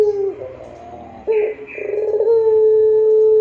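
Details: Long, clear pelung song of a Barbary dove, used for training other doves: the end of a coo, soft rough gurgling notes, then a clipped note and a steady, hollow, sustained coo running to the end.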